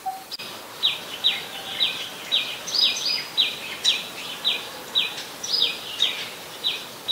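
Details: Adult common tailorbird, a common resident in Ubon Ratchathani, Thailand, recorded 27 January 2021: loud, sharp, high chipping notes, each a quick downward-slurred 'chee', repeated about twice a second in a steady run. A faint low tonal note sounds at the start.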